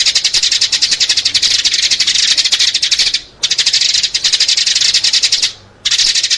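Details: Recording used to draw in sparrows: steady, rapid, high chirping in three long stretches, separated by two short pauses.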